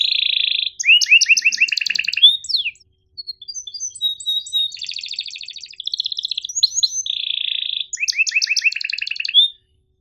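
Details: Tutor song of a canary in the sharp 'cuit ngerol' style, for birds that rarely sing and youngsters learning: a steady held note, rapid rattling trills, a brief pause, more trills and a second held tone.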